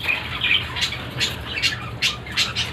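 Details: Shrill, scratchy calls from captive ringneck parakeet breeder pairs, repeated roughly every half second in short rasping bursts, with a faint hum behind them.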